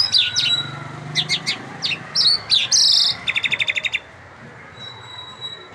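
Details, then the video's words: Irani lark (jal mushadi) song: varied high chirps and downslurred notes, a buzzy burst, then a quick evenly repeated series of clear notes, ending in a faint thin whistle. "Jal mushadi singing bird Irani lark"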